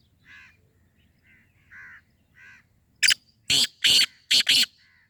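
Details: Black francolin calling: after several soft, faint tonal notes, a loud burst of five harsh, grating, broadband notes comes in a quick rhythmic sequence lasting about a second and a half, then one faint short note.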